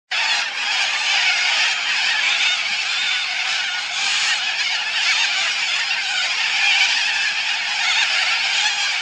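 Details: Little corellas at Biloela: a continuous, dense wall of harsh, rasping screeches from many birds calling together, loud and unbroken throughout.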